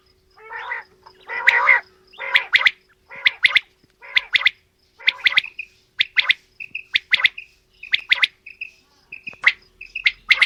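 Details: Quail, male and female, calling in a mix: rough, gargling bursts at first, then rapid clipped two- and three-note calls and short whistled notes, repeated steadily.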